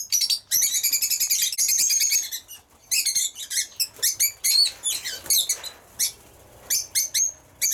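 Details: Pet lovebirds in noisy high-pitched chattering, a dense shrill burst first, then shorter sharp squeaks and chirps at irregular intervals.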